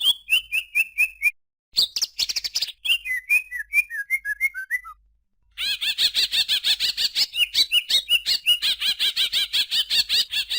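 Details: Greater green leafbird song: descending strings of clear whistled notes broken by brief pauses, then a long rapid series of bright, chattering high notes.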